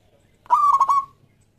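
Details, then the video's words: Local Zebra Dove giving one loud cooing phrase, used as a lure to get other doves singing: a half-second rich, reedy coo with a rapid stuttering pulse through it, then silence. "Perkutut Lokal Gacor Suara Yang Pas Buat Pancingan"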